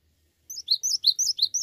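Cinereous tit singing a fast run of high, thin, bouncing notes in linked pairs, about six in a second, after a brief quiet start.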